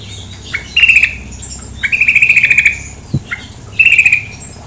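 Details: Three stuttering rattled calls from a female sooty-headed bulbul, each a quick string of even pulses, often introduced by a short rising note, over a low steady background.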